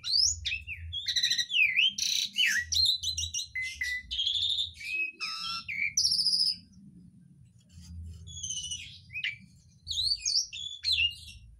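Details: Asian pied starling in full song, mimicking birds like green leafbird, magpie robin and sooty-headed bulbul; dense bursts of whistled slurs, rattling trills and sharp chirps for about six seconds, a pause, then more varied phrases, low hum behind.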